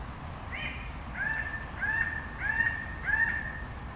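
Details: Red bird-of-paradise giving a series of five loud slurred notes, each rising briefly and then holding level, repeated roughly every two-thirds of a second over a low background rumble.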